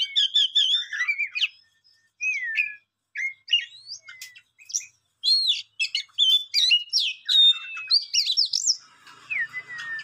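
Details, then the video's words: Songbird singing quick warbled phrases of slurred, bending whistles broken by short gaps, the last phrase ending in soft falling notes. "Beautiful song bird"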